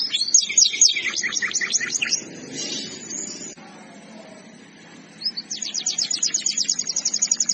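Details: Canary masteran song with a quick high trill that stops after two seconds, leaving quiet background hiss. It then resumes with a rising whistle and a fast, even series of sharp repeated notes.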